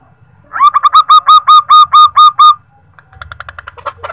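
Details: Female zebra dove calling to the male, used as a lure to draw his reply: a quick run of about ten ringing, evenly spaced notes over two seconds, then softer chattering notes over a low rumble.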